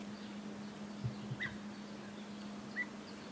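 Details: Common starling (Sturnus vulgaris) mimicking a coot, with gull imitation also in its song: two sharp, clipped notes about a second and a half apart, over a steady low hum.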